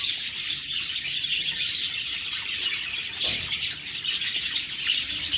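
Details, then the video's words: A flock of budgerigars keeps up a steady, high warbling chatter, dense overlapping chirps and a few brighter whistled notes, with a soft thump near the middle. "Budgies Birds talking sound Birds chirping sounds"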